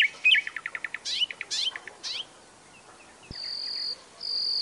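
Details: Nightingale phrase of fast repeated staccato notes and sweeping chirps, followed by a pause and two long, high, pure whistles.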